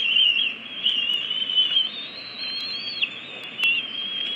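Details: Bald eagle nest in Washington, DC, 22 May 2017: eaglets 53 and 54 days old meet the female with aggression when she brings a stick instead of food. Steady, quavering, high whining squeals rise briefly near the end, mixed with occasional clicks.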